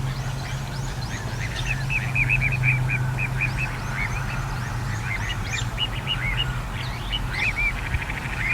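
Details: Little ringed plover recorded on 14 April 2021, giving rapid, short, chirping calls repeated many times a second over steady low-pitched hum and background noise.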